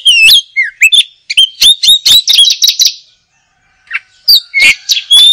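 An oriental magpie-robin sings a rapid, varied run of sweet whistles, slurred rising notes and sharp chips, then pauses briefly and resumes with clear high whistles.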